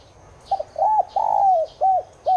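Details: Spotted dove (Streptopelia chinensis tigrina) cooing, used to prompt caged doves to call. A short stuttered double note leads into a rising-falling coo, then a long slurred descending coo and two clipped closing notes. Faint high chirps sit behind.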